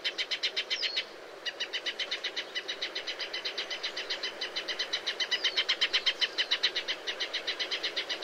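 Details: Cinnyris habessinicus, the shining sunbird, in its natural arid habitat: a fast, steady run of bright, high chips, about four per second, broken once by a brief gap, with faint background hiss.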